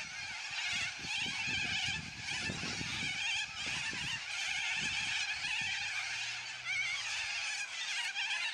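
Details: Loud squawks of a noisy yellow-crested cockatoo flock fill the air as an unbroken, scratchy chorus of shrill overlapping screeches, with low thumps early on and a faint low hum later.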